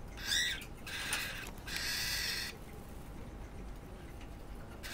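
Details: Cockatiel at its cage threatening another pet cockatiel that approaches and ignores it; several short hissing screeches open the recording, then a longer harsh rasp, a quiet pause, and one final burst.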